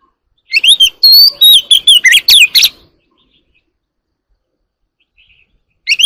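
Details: Early morning song of an Oriental magpie-robin, called chòe than, kept as an ornamental bird: a fast burst of varied chirps and whistled slurs lasting two seconds, then silence before a new phrase starts.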